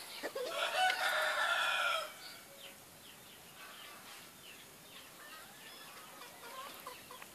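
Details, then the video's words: Laughing chicken rooster giving one loud, rough, harmonic crow of about one and a half seconds, followed by faint scattered clucks and chirps in the background. "Ayam ketawa"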